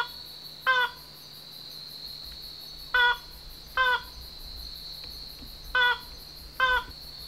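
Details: Wild banded crake calling at night from a dark thicket on Yonaguni Island, Japan, at a spot where it often calls, after an hour's wait. It gives five short harsh, harmonic bursts at uneven intervals over a steady high insect drone.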